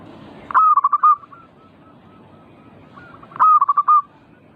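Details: Zebra dove singing to encourage other birds to call: two loud phrases of rapid, throaty coos, each ending in a held note, about three seconds apart. Softer distant cooing runs between them.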